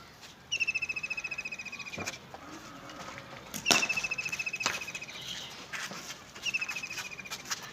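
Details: Bird singing in a village: three bursts of rapid, high, even trills, each slightly falling and lasting about a second and a half, with footsteps and sharp knocks in between.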